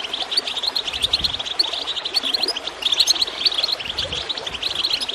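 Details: Goldfinches singing to stimulate other birds into song: a continuous busy stream of quick, bright tweets and trills, with water gurgling underneath and a few soft low thumps.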